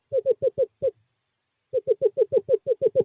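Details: Male eastern screech owl, 2/11/2023, courting season, calling his mate to owl box 5: five quick mellow hoots, a pause under a second, then a faster steady run of about eleven similar notes.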